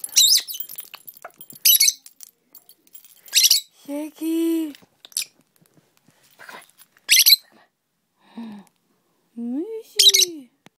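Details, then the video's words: Pet female dwarf parrot making funny noises while entertained with keys: nasal, harmonic squeaks and a rising-falling whine, between loud jangling key bursts and soft clicks indoors. "My parrot makes funny noises"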